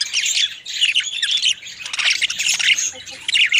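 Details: Parakeets feeding a mate make bursts of harsh squawky twittering with brief pauses, scratchy and high-pitched throughout.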